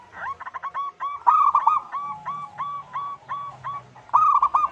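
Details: Local zebra dove used as a lure to make other doves sing; steady chain of rapid, evenly repeated cooing notes, ending with a louder rolling flourish.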